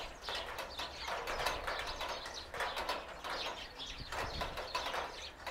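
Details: A Eurasian tree sparrow gives quick, harsh chirps in bursts of several notes while busy in a bush, with rustling and a soft background hiss between them.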